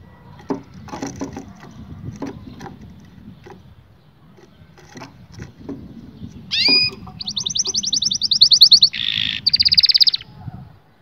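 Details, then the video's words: Canary song meant to stimulate males and females to mate: about six seconds of faint scattered clicks and ticks, then loud, rapid, high buzzy trills. The trills come in steady rolling sections, one changing into the next, and end abruptly. "التغريد الاقوى في عالم طيور الكناري لتهيج الذكور وتهيج الاناث على التزاوج"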